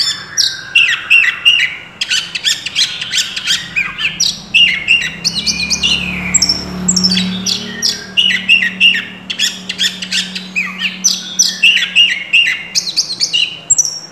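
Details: Oriental magpie-robin in sustained vigorous song, stuffed with mimicked phrases: repeated clusters of sharp whistles and quick chirps with short gaps, over a low droning hum.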